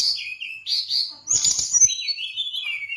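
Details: Song of a brown-chested jungle flycatcher from Bali, with high whistled notes sliding down, a short noisy chattering burst, then a long wavering warble trailing lower.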